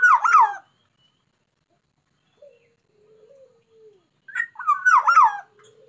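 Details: Black-naped oriole described as a bird in full, vigorous song and ready for contests: two loud, rich whistled phrases with wavering up-and-down notes, separated by about four seconds of soft, low fluty murmurs.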